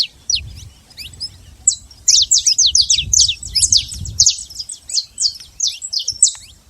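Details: Wild saffron finch, free in nature, singing quick high-pitched chips that drop in pitch, clustered into fast bursts with brief gaps, against a soft low hum.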